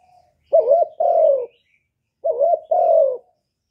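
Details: Spotted dove, recorded in 2023, gives two repeated phrases: a tremulous rising-and-falling coo, then a longer mellow coo that slopes downward, with nothing else audible.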